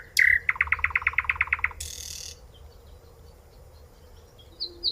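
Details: Common nightingale, a member of the chat family, singing: a sharp whistled note, then a fast, even rattle of about ten loud repeated notes, a harsh noisy burst, a pause, and thin high notes near the end; steady low hum behind.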